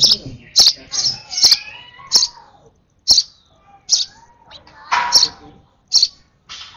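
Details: A baby sparrow on its last hand-feed calls rapidly with clustered high chirps, then more spaced ones, with some broader rustling noise between the calls.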